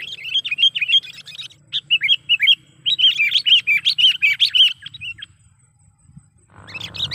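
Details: Chatty sooty-headed bulbul call meant to lure wild bulbuls into traps and serve as a training sound: two quick runs of sharp, bubbling chirps, then near silence before a brief burst of noise at the end.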